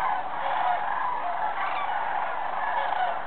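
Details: Many sandhill cranes calling together at Jasper Pulaski, November 1, 2007, their rattling, bugling voices merging into a steady roar with some louder individual calls standing out.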